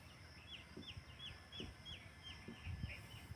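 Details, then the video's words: Grey francolin call played to make pet francolins call more: a series of short, falling, squeaky notes at about three per second, over low rumbling background noise. "مست کرنے والی اصلی تیتر کی آواز"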